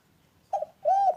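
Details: Spotted dove heard in a short fragment of its call: a brief clipped note, then a loud, clear, arched coo held for about a third of a second, in a quiet, otherwise still setting.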